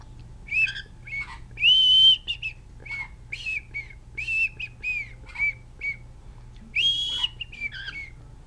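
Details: A male pet cockatiel (Nymphicus hollandicus), coaxed to sing while getting a head scratch, sings clear whistled notes mixed with brief buzzy, scratchy chatter.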